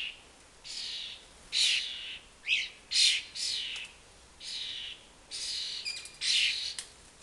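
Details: Young common starlings from a family nesting four storeys up, begging while flying after their parents around a fat ball: harsh, rasping screeches about half a second long, repeated in quick irregular succession.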